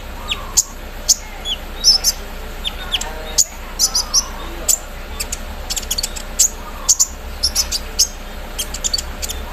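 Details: Morning song of a caged Van Hasselt's sunbird exposed to dew, with mimicry of an embroidery machine: sparse high-pitched ticks and thin chirps spread irregularly across the clip, soft lower twitters beneath.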